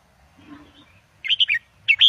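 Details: Red-whiskered bulbul from a cage, singing Indo double style to teach young birds: after a faint low murmur, two brief clusters of clear, quick whistled notes.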